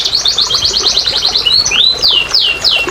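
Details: Canary giving a quick trill of evenly spaced high notes, then several clear downward-curving whistles, played to draw quiet canaries into song.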